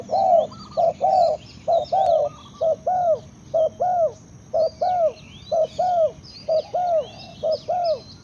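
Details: Long rhythmic series from a spotted dove: pairs of low coos, a short note and a longer downward-curving one, repeated steadily more than once a second, with other small birds chirping faintly.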